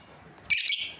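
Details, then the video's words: One brief, harsh, high chirp with a slight double pulse from a breeding pair of lovebirds. "Amazing Lovebirds Chirping Sounds | breeding pair"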